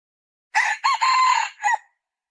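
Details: Red junglefowl hen: a single raspy call split into three parts, with a quick opening note, a long level middle note and a short closing note. There is quiet before and after.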